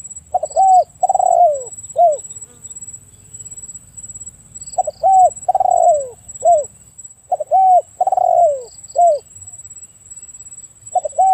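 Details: Spotted dove repeating its cooing phrase three times at roughly three-second intervals. Each phrase has short upturned notes around a longer sliding coo, and a continuous high whine sits in the background.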